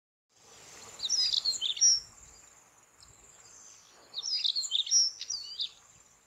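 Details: White-tailed stonechat giving its evening call or song on the Padma (Ganges) char lands: two bursts of high, scratchy twittering phrases with thin whistled notes, about three seconds apart, over a steady high insect-like hiss.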